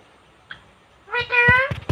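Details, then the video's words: Indian pet parrot, a female with a cute talking voice, giving one drawn-out nasal harmonic utterance after a quiet start, followed by a few low knocks or thumps indoors. "talking parrot/Best cute parrot //her voice is so cute"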